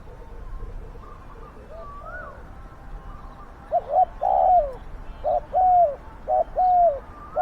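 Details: Spotted dove decoy calling to draw in wild doves, its voice described as big and fierce; faint distant cooing at first, then loud, husky coos from mid-clip in quick runs of short and drawn-out falling notes.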